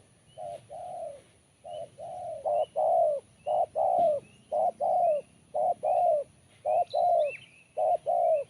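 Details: Spotted dove singing in a crisp, sharp voice: steady, repeated mellow coos, often paired, roughly one per second. Faint high chirps from small birds are heard behind them.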